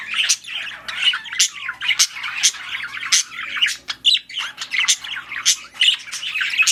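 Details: Budgerigars during mating give sharp squawks and wavering warbles, with sudden loud high clicks repeated about once a second over steady chatter.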